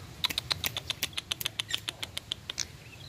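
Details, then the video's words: Young bar-winged prinia uttering a fast series of sharp, high ticking notes, about four per second and slightly uneven, against a soft background hiss. "BALUNGAN CILIK PRENJAK"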